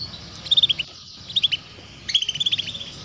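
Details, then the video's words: Female canary calling 'cuit cuit' to draw young canaries into singing; three bursts of fast, evenly spaced, high, sharp chirps, the last one longer, separated by short quiet gaps. "PANCINGAN Kenari BETINA Cuit Cuit || Masteran Kenari Paud Agar Cepat Bunyi"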